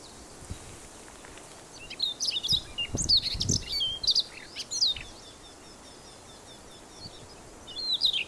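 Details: Siberian Rubythroat male in song on Teuri Island, Japan, 28 April 2019: scattered high, varied whistled and chirping notes in loose phrases, with quiet spells and low rumbling background noise.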